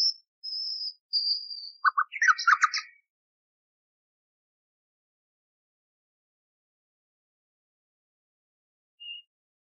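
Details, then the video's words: A brief common nightingale phrase: thin high whistles, then a short knot of chirps, followed by near silence and one faint late note. Taken from an old restored recording for canary training. "Bülbül Ötümlü Kanarya Eğitimi İçin Bülbül Sesi ve Ötüşü"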